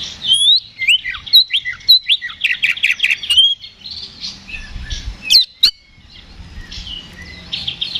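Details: Oriental magpie-robin giving agitated ngeplong fighting song, used to provoke another bird: quick, scratchy series of high chirps and whistles over three seconds, then quieter, softer warbling with occasional sharp notes.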